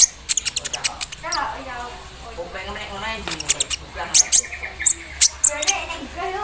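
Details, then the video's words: Caged Javan sunbird in full song after morning dew exposure, delivering a mimicked embroidery-machine fill: rapid sharp high chips and ticks interleaved with warbled, rippling mid-pitched note series, dense and continuous. "KOLIBRI NINJA GACOR KELUAR ISIAN MESIN BORDIR SAAT DI EMBUNKAN PAGI HARI"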